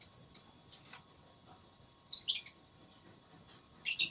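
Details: Lovebird in a singing contest, with sharp high chirps and brief harsh bursts of rapid shrill notes separated by pauses.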